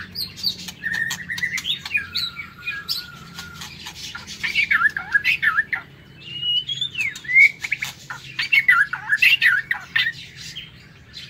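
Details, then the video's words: Caged white-rumped shama in an aviary singing in the morning, a long varied warble of whistled slurs, trills and twittering phrases, rising and falling, broken by short pauses and sharp clicking noises from the enclosure. "Tiếng Chích Chòe Lửa độc lạ hay"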